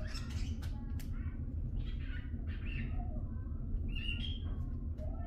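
A cockatiel chatters in short squawky, whistled syllables that mimic speech over a steady low hum.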